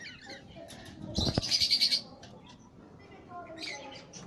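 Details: Budgerigar making a quick run of high, pulsed chirps lasting under a second, preceded by a sharp flutter or click, then softer chirping over a steady background murmur.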